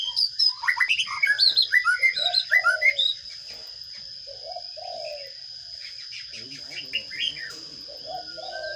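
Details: Baby sparrows in a nest box during feeding: about three seconds of loud, hurried high chirps and squeaks, then softer low hollow cooing notes from another bird with a few faint chirps.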